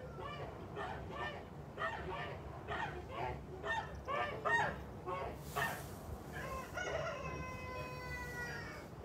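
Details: Kholmogory geese on a farm, 29 March 2021: a run of repeated harsh, nasal honks for about five seconds, then a rooster's long crow over a steady low rumble.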